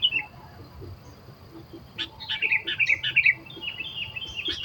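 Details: In the wild during bird trapping, a sooty-headed bulbul delivers a rapid run of chattering, bubbling notes that swell in loudness midway, then trail into softer twittering, with rustling clicks and background hum.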